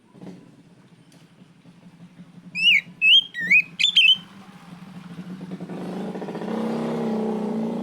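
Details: Oriental magpie-robin, kacer, calling out a rival: about five bright up-and-down whistled notes in quick succession, then a motorcycle engine rumbles in and grows louder.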